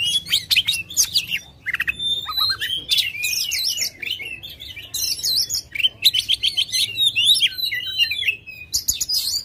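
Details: Oriental magpie-robin singing aggressively and spreading its tail, used to coax a reluctant bird into song: a dense, rapid run of varied high whistles, trills and sharp chirps in bursts with brief pauses.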